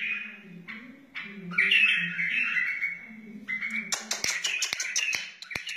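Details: Wild white-eared bulbul song used for teaching chicks and encouraging other bulbuls: warbled phrases sliding around mid-high pitch, with a low throaty murmur beneath early on and sharp clicks near the end.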